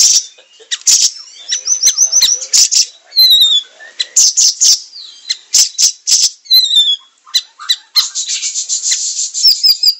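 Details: Siri-siri singing vigorously as tutor material for songbirds: a short even trill, descending whistle series, sharp explosive chips and a long buzzy rattle to finish.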